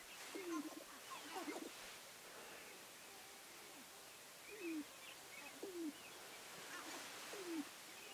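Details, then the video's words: Sharp-tailed grouse on a lek at Namekagon Barrens Wildlife Area, Wisconsin, on 5-04-2015, give short, low, downslurred cooing notes every one to two seconds, with faint higher chirps and soft outdoor background noise. "Sharp-tailed Grouse Lek"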